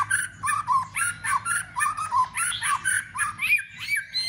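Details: White-rumped shama fighting song, given with tail-flicking to stimulate other shamas. Rhythmic lower whistled notes with bright high overtones repeat about three times a second, in a steady pulsing pattern over a low hum.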